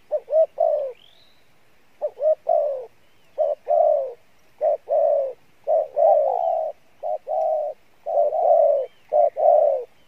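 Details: Spotted dove, field type, good voice, singing in the mixed 'Bai Loi' style: about ten low, husky coo phrases, some opening with quick rising notes, each phrase ending in a longer falling coo.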